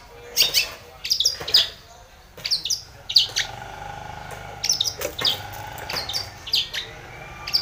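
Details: Long-tailed shrike provoking a rival with irregular bursts of sharp, high, raspy chips and twittering notes, separated by short pauses, over a quiet hum.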